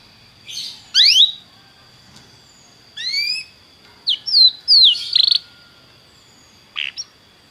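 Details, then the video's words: Belgian canary singing to warm up a canary: scattered bursts of rising chirps and short twittered notes with long pauses, over a steady faint high tone and low background hum. "canário belga muito lindo cantando, aqueça seu canário imediatamente"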